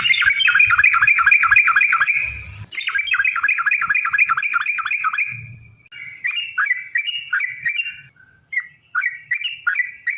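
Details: Sooty-headed bulbul singing in long 'ropel' style as a lure for other bulbuls; fast run of chattering whistled notes, about three per second, then sparser bubbly phrases with brief pauses.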